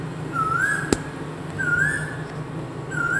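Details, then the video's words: An Indian cuckoo heard from a home gives three separate upslurred whistles about 1.3 seconds apart, over a low indoor hum and one sharp click. "CUCKOO BIRD VOICE AT MY HOME, INDIAN CUCKOO BIRD"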